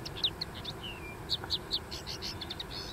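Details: Common linnet on a dune delivering quick twittering song: crisp chirps, a drawn-out falling whistle, then rapid clustered notes in a lively burst.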